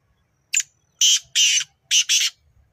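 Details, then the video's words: Kala Teetar, the black francolin, calling near Nawabshah with a rasping phrase of five loud notes: one brief opening note, then two paired, longer grating bursts, with quiet background. "Kala Teetar Ki Awaz | Black Francolin"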